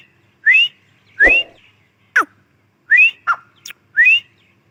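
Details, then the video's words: Grey francolin female giving clear upslurred whistles, about five in under five seconds, interspersed with short sharp downward clicks or squeaks. "Teetar awaz | Teetar voice | gray francolin teetar sound | Teetar ki Awaz bohra Teetar awaz"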